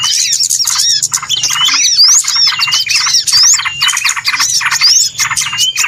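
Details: Lure recording for trapping of many small birds, squawky chirps and upward-flicking whistles in loud pulsing waves, with a faint low hum underneath.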